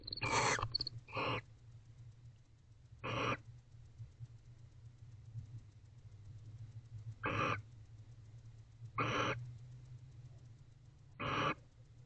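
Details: Barn owl pair in a nest box at night in October 2024, affectionate after mating; a cluster of rasping hisses at the start, then isolated hissing screeches at long uneven gaps over low hum.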